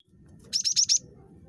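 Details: Cinereous tit (gelatik batu), a very chattery bird, recorded as a lure to prompt other tits to call: four rapid, high, thin whistled notes in a quick burst over a faint low background hum.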